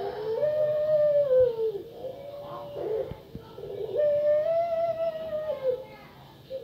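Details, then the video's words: Caged female puter pelung dove used as a lure so other doves start calling. Two long, smooth, drawn-out coos, each dropping in pitch at the end, separated by brief harsh, rough bursts. "Puter Pelung Suara Mengerikan (Cocok Untuk Pancingan Agar Puter Pelung Kalian Bunyi)"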